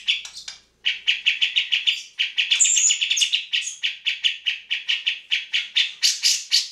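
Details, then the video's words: Grey-cheeked bulbul singing energetically, pouring out a rapid, chattering run of bright chirps at about four notes a second, with a few higher whistled notes mixed in. "Cak Jenggot Gacor"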